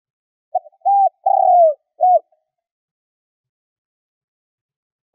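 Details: Spotted dove decoy bird from Vietnam, cooing to lure wild doves. One clean, mellow phrase: a short coo, a fuller note, a long drawn coo sliding downward, then a clipped final coo. Silence follows before another phrase begins.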